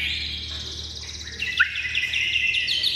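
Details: A tame Chinese hwamei in good song gives high rapid trilled phrases that hold steady, with a sharp accent in the middle, then a rippling warble.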